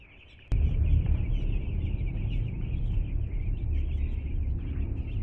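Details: Two-day-old chicks at their new home peep in a crowded high chorus; a sudden loud low rumble starts after half a second and continues under the chirping.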